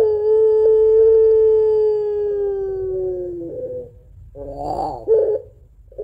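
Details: Long crying song of a pelung Barbary dove, a two-note coo said to suit luring doves at home: one steady, slowly falling moan lasting over three seconds, then a rough, gurgling flutter of notes.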